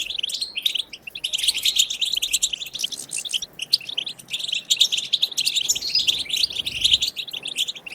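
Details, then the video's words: Goldfinch batbata song for encouraging other goldfinches to sing: an almost unbroken stream of fast, bright twittering with liquid trills and harsh buzzy notes, pausing only briefly around the first second. "بتبتة خلوية جديدة لتحفيز الحسون على التغريد"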